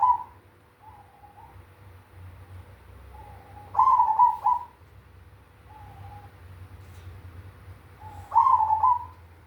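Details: Zebra dove, cemani type, with big 'kung' voice: soft low cooing notes spaced out, broken by two loud rolling coo phrases about four seconds apart; faint continuous hum.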